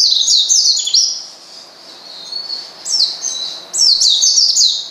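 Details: An Oriental white-eye calling to a rival to rile it up: a burst of piercing high chirps, a quiet stretch of thin notes, then another rapid chirping burst.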